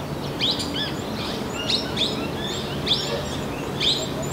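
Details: Small minivet in Narsapur forest range, India; short high sliding whistles repeated roughly every half second to second, thin and sweet, over constant broadband noise and faint hum.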